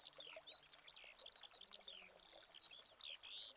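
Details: Eurasian skylark singing in Spain in August, filmed with a Canon 7D Mark II: a rapid, unbroken stream of high chirps, slurred whistles and buzzy notes, tumbling up and down with no pauses.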